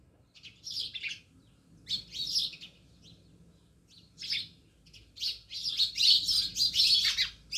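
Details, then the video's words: Many house sparrows by a village house in Jamnagar chirp in separate bursts that grow denser and louder toward the end into continuous overlapping twittering. "Natural Sound Of Sparrows | House sparrows Chirping"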